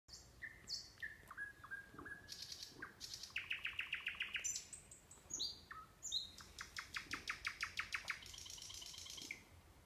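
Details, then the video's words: Nightingale singing near the Orbita sanatorium, Kurchatov District, Kursk Oblast, Russia: varied phrases of pure sustained whistles, some sliding, then bursts of rapid, evenly repeated notes and a long fast trill near the end. "Пение соловья"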